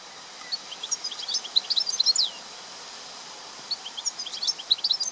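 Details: Wild European goldfinch singing in nature: fast, tinkling twitter of high thin notes and short slurred trills in two bursts, the first about two seconds long, over a steady faint hiss of outdoor background.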